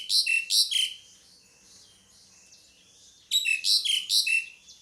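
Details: Pied myna calls in two harsh, chattering bursts with sliding downward whistles, about three seconds apart, faint quieter notes in the gap.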